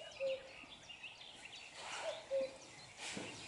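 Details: Common cuckoo calling at close range: two clear, low, two-note cu-coo calls about two seconds apart, the second note lower, with chirping and twittering from other small birds in the background.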